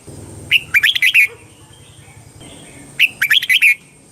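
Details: Thai Red-whiskered bulbul song in the southern master style, used to rouse caged birds and tutor young ones: two quick phrases of rich, bubbling whistles, each under a second, about two and a half seconds apart, with a thin background hiss.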